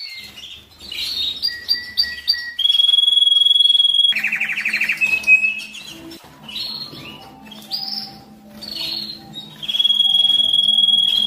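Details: Canary singing to stimulate breeding in males and females: mixed chirps and whistles, a steady high note, a rattling lower trill, rising slurs and another sustained whistle.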